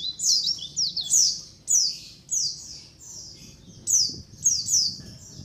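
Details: Colony of white-eyes calling, used as a lure to attract wild birds. High, thin descending chirps and short twittering notes overlap in bursts, several birds calling at once, roughly every half second to second, over faint low hum.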